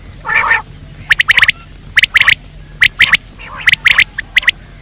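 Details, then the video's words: Quail sound used for luring birds by day: a brief hoarse burst opens, then rapid clipped notes in clusters of two to four recur roughly once a second against steady low hum. "Batir ki awaz Quail sound for day part 2( دن کے بھلانے کے لئے)"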